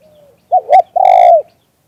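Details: Single 'liu tan' coo of a spotted dove, recorded live: two quick clipped notes followed by one long, steady coo that bends downward at the end, clean and quiet around it.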